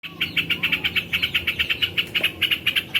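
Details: Yellow-vented bulbul training recording with non-stop calling: a rapid even stream of short chipping notes, about five a second, steady throughout.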